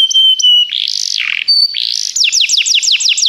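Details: Singing Begie canary for song training: a sustained pure whistle, harsh buzzy phrases, a brief high tone, then a brisk series of sharp falling notes.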